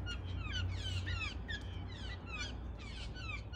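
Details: Backyard family of six blue jays at dawn, excited while awaiting peanuts alongside crows. Brisk downward-sliding notes tumble in two busy clusters, some harsh and layered, others clear and descending, over heavy low rumble.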